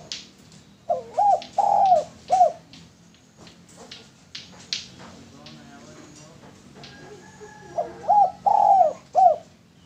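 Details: Male spotted dove lure call: two cooing phrases of hollow notes with a longer central coo, separated by a stretch of faint clicks and low rumbling background noise.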